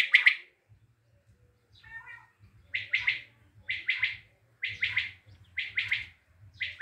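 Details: Tajik common quail repeating its crisp, high triple-pulsed call roughly once a second, six phrases after an opening call and a quieter rasping note, low hum in the background.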